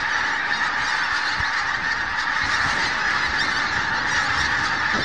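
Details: Dawn spectacle of geese at Snettisham, watched from 4 am. A thick chorus of honks, constant and unbroken, with a few nearer calls poking through the crowd.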